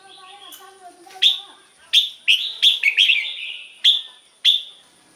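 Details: Red-whiskered bulbul song for exciting caged birds: a string of sharp, bright whistled notes, each starting abruptly, delivered singly and in a quick cluster over five seconds, with faint lower tones at the start.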